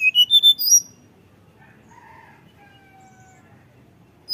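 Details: Sunda robin song used as a lure to make birds sing: a fast run of five bright, descending whistled notes, then long, thin, flute-like whistles held steady at a lower pitch, fading into quiet.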